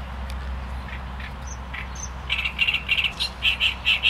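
A great reed warbler sings loud, harsh, grating notes, repeated rapidly in a chattering run after a few quieter ticks, over a low steady rumble.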